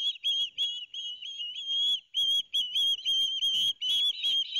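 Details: Shrill, insistent whistling from a pair of young ospreys as the father brings fish to their New Jersey nest at Barnegat Light, 13 September 2021; sustained high notes broken into uneven bursts, with faint rustling below.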